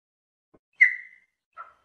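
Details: A chopi blackbird singing in the wild gives one loud, clear whistled note that trails slightly downward, then a shorter, lower note; otherwise all is quiet.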